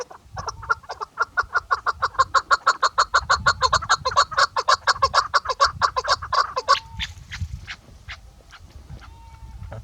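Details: Female chukar partridge, chakor or keklik, giving a fast, accelerating series of hoarse chucking notes that fade out after about seven seconds, followed by quieter scattered notes and a faint whistled tone.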